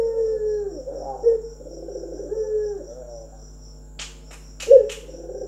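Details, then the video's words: Local Barbary dove, a trained bird, cooing: low, rolling coos repeated in a steady phrase, with a few sharp clicks near the end and a constant faint electrical hum behind. "SUARA BURUNG PUTER LOKAL"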